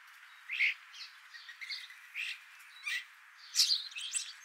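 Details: European starlings stopping for a morning bath give a loose series of squeaky chirps, rasps and short whistles, about one burst a second, with a brief louder squawking cluster near the end.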